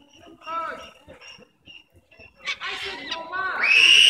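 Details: White cockatoos in a park give harsh, raspy squawks that build into a loud, grating screech rising at the end, after softer chatter and possible voices.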